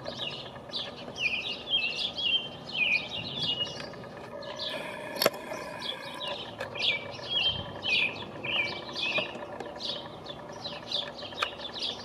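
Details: From a pine treetop, a male American robin sings hard on 5/6/19, apparently advertising his territory. Bursts of clear, warbled whistled phrases come roughly twice a second in runs, with a pause mid-way. A faint background murmur is heard.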